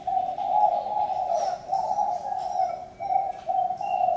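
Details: Continuous low, mellow cooing of a spotted dove in linked phrases about a second long with brief breaks. Thin high whistles of other birds are faintly heard.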